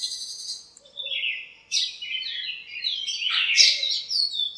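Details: A morning chorus from birds in a home backyard lemon tree as they squabble and communicate: smeared, shrill chirps and a bright slurred burst past three seconds over continuous high twittering.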